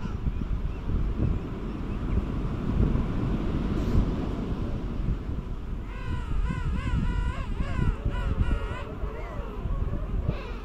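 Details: A penguin gives a burst of wavering, pulsing harmonic notes in the second half, partly broken up, under steady heavy wind noise throughout.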